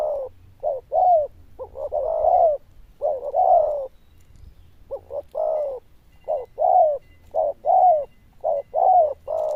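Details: Zebra dove with a loud, bell-like voice and a fairly good cooing style: short low coos paired with longer rolling notes, delivered in irregular bursts with brief pauses, almost one per second.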